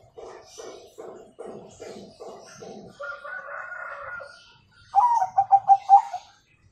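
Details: Zebra dove singing in the 'kung' style, used as a master recording for young birds. The clip opens with a steady run of low, pulsed notes and a hoarse trill. A loud sequence of short, hollow coos follows.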